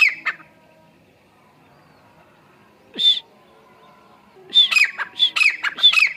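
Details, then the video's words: Grey francolin giving a call: a brief harsh note early, one sharp squawk near the middle, then a run of loud, repeated piercing notes each dropping into a rasping lower note. "Grey Francolin call"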